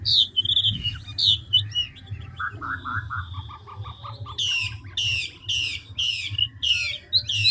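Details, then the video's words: Chinese hwamei, five-phrase style, switching song rapidly: whistles, a string of short lower repeated notes, then loud rapid downward-sweeping notes repeated about twice a second, with low background hum. "Họa mi ngũ trường đảo giọng tốc độ"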